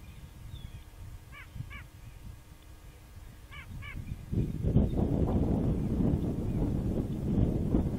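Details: At a nest in the Upper Mississippi River refuge backwaters near Lock and Dam 13, Fulton, Illinois, with three bald eagles present, February 3, 2019: two short bursts of high, stacked chattering notes, then loud gusting wind takes over.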